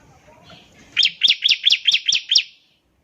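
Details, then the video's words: Bar-winged prinia used to prompt other prinias to sing: seven sharp, rising-and-falling chip notes delivered evenly over about one and a half seconds after a faint murmur. "ciblek semi gacor, NEMBAK NGEBREN untuk pancingan ciblek semi agar cepat bunyi"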